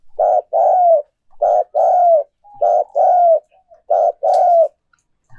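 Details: Decoy spotted dove cooing to stimulate other doves to coo: four mellow low phrases, each a short coo followed by a longer, gently falling coo, repeated roughly every 1.3 seconds in clean silence.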